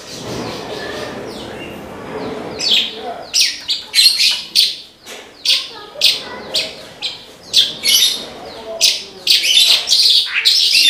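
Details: Branjangan, the Australasian bush lark, singing strongly: after two seconds of low background rumble, a long series of sharp, scratchy high bursts repeated roughly every half second, building into denser chattering at the end.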